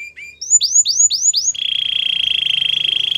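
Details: Belgian canary warming up with training song: a few short chirps, four loud rising whistled notes in quick succession, then a sustained fast rolling trill held steady to the end.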